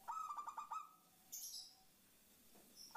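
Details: Zebra dove female calling to the male, a lure sound meant to make other doves answer: a quick run of staccato cooing notes lasting about a second, then quiet with faint background hiss.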